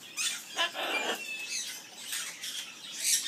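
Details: Amazon parrot singing the skimmeradinkadinkadink song at an aviary: a brief stretch of loud, grating squawks and nasal chatter, with rough bursts running into each other.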